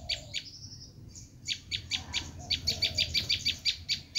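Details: Bar-winged prinia screaming call meant to lure wild birds: a few scattered harsh chips and a thin drawn-out whistle, followed by an accelerating run of tightly packed buzzy notes.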